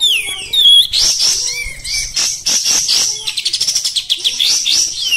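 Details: Caged Oriental white-eye in full rough 'tembak' song: a falling whistled glide, then shrill jumbled twittering and a quick rattling series of sharp notes, ending in high chatter.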